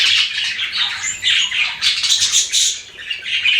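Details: Chirping of pet budgies: a continuous stream of high, bright warbling notes and squeaky chatter, several birds overlapping without pause.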